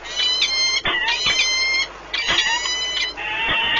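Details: Peregrine falcons at a nest at Orlen Płock, Poland, on 1 March 2019, during a long meeting and bonding of the pair; harmonic whining calls in drawn-out bursts, rising and falling, with brief clicks between.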